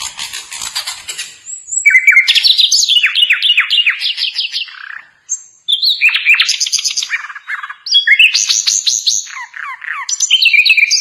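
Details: Asian brown flycatcher (sikatan londo) tutor recording for songbirds to imitate: bursts of fast high chirps, trills and descending slurred notes, separated by brief gaps.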